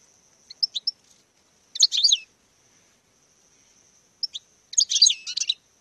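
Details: European goldfinch performing a courtship display: short bursts of high, tinkling twitters at about two seconds and five seconds, separated by quiet gaps, over a faint steady high hiss.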